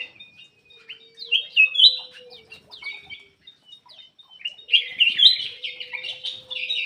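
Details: Black-crested bulbul song used to coax silent birds into singing; varied warbled, chattering whistles in bursts, busier in the second half, over a faint steady low hum.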